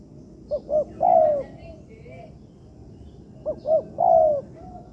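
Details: Young spotted dove being trained in an artificial yard gives two short, rising hoots, then a longer, drawn-out coo that slides down. The phrase comes twice, with quiet background between phrases.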